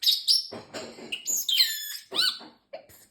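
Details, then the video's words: Male pet parrotlet saying learned phrases such as peekaboo and excuse me. Very high, piping voice with sliding whistled notes and squeaky word-like bursts, delivered rapidly. "Talking parrotlet"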